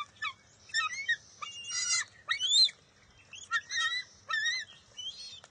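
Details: Bald eaglet in the nest on June 23, 2021, refusing to share a fish with its mother: a run of bent, up-and-down whistled chirps and shrill squeals in uneven bursts, rising and falling in pitch.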